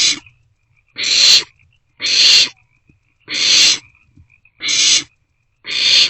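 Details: Barn owlets in a nest box after 1:47 am on 27 March 2024, sharing a meal; six harsh, hissing screeches of steady length, evenly spaced about one second apart, in a quiet box.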